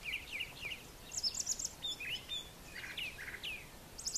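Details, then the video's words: Brown thrasher singing in the morning on a farm yard with brushy nesting areas; varied short phrases, some doubled, high chirps and slurred notes, mixed with other bird calls over steady background noise. "Brown Thrasher Morning Song"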